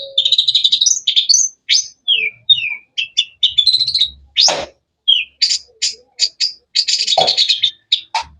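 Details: Cendet, the long-tailed shrike, with melodious, varied chirping: whistled slides, rapid twittering runs and buzzy rattles mixed with short sharp notes, plus a couple of brief clicks.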